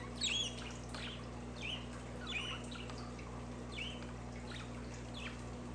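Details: Budgerigar chirps played for pet budgies: a string of short, bright warbled chirps roughly every half second to second, fading later, over a steady low hum and faint watery trickling background.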